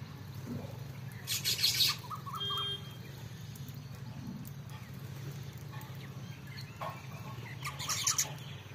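A sparrow gives a few brief, bright chirps in two short bursts, near the start and near the end, over a steady low rumble.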